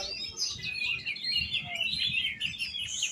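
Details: Oriental magpie-robin (kacer) singing a continuous, varied run of bright whistled and chirping phrases, sliding between high and mid notes with quick trills, over a faint low background rumble.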